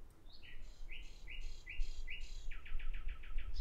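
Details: Common nightingale singing: repeated rising whistled notes about four per second, then a fast run of sharp descending clicks near the end, over low background rumble.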